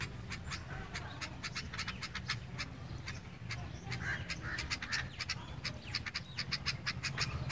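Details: Sparrow giving a long run of rapid, clipped chirps, some close together and some spaced, with a few softer notes midway and a constant low background rumble.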